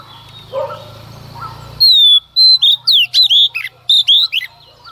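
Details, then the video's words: Female Oriental magpie-robin singing at dawn to stir up males; after a faint noisy start, loud whistled phrases burst in, slurred downward notes and twisting sweeps repeated rapidly over about three seconds. "Choè than mái hót kích trống hót căng sáng sớm"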